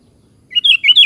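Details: ['Sooty-headed bulbul giving one quick bubbly phrase of two or three slurred whistled notes, rising then falling, after half a second of near silence.']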